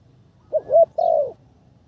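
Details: A single cooing phrase from a spotted dove in decoy training, third session. A short looped note and a rising coo, then a longer, steady, slightly falling coo, all low and mellow.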